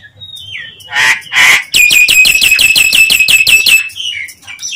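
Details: Nias hill myna calling to provoke other mynas: two loud harsh squawks, then a fast run of about twelve ringing, even notes, ending in a short rising whistle.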